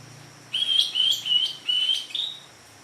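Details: Greater green leafbird, a newly acquired medium bird, giving a short phrase of four or five clear whistled notes, slightly slurred, each about a third of a second, with a steady faint high tone behind.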